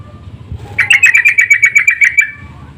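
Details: Sooty-headed bulbul calling back and forth as a lure: a quick run of roughly fourteen bubbly, chirping notes over about one and a half seconds, steady in pitch, with faint low hum behind.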